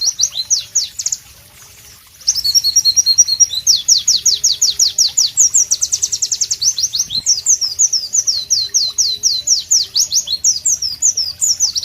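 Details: Pleci, the White-eye, singing loudly in natural tropical setting: high sweeping whistled notes, a short silence after two seconds, then long energetic run of rapid, rhythmic downslurs with varied phrases.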